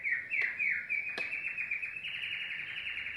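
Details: Yellow domestic canary in full song, delivering fast, continuous trills of high chirping notes that step slightly upward midway, with two sharp clicks early on.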